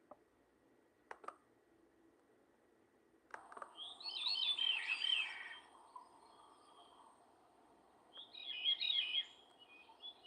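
A veery sings two breezy, downward-spiralling flute-like phrases several seconds apart, with a few faint clicks and low room hum beneath.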